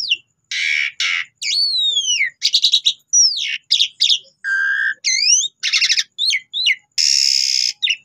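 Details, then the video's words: Jalak suren, the Asian pied starling, in a lure recording used to make other birds reply and sing. Loud, varied phrases: sweeping slurred whistles, harsh buzzy blocks, quick chirping trills and upward-hooked notes following one another rapidly. "Cukup 3 Menit Saja Jalak Suren Bakal Nyaut Dan Ikut Gacor Dengan Pancingan Jalak Suren Ini"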